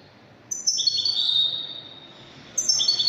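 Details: Algerian European goldfinch in the Widani style: after brief quiet, a crisp high note leads into a sustained buzzing trill, and a new twittering phrase begins near the end.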